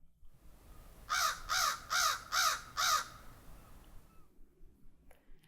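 An American Crow gives five harsh, evenly spaced caws in quick succession, about two per second, over faint background hiss.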